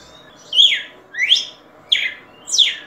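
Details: Red-cowled cardinal song: four loud whistled slurs, alternately rising and falling, spaced about two-thirds of a second apart, clean against a low steady hum.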